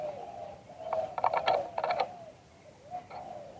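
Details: Spotted dove cooing in the auspicious liw tan style, recorded live: steady low coos overlaid by clusters of sharp clicking noises in the middle, then quieter coos at the end.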